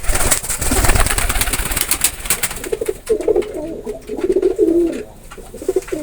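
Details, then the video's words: Pigeon cooing: after about three seconds of broadband rustling and clatter, low soft rolling coos begin and repeat in short bursts through the rest of the recording. "Pigeon Sound effect"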